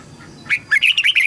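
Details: Red-whiskered bulbul voice used for training young birds and urging wild-caught birds to sing: a soft faint note, then a quick warbling phrase of five or six fluttering, bright whistles.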